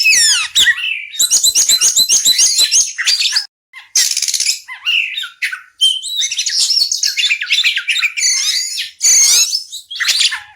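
Oriental magpie-robin in a rapid, high-pitched stream of varied whistles, chirps and scratchy notes, broken by a few short pauses.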